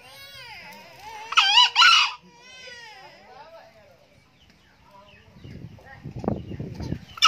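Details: Old male green junglefowl crowing often: one loud, harsh two-part crow, a short burst then a longer rasping note, under a second in total, with human voices before and after and some thumping noise near the end.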